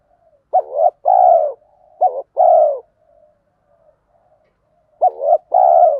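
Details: Spotted doves, male and female, cooing to stimulate training birds; three two-part phrases of a short bent note and a longer low coo, the last coming after a longer silence, background clean.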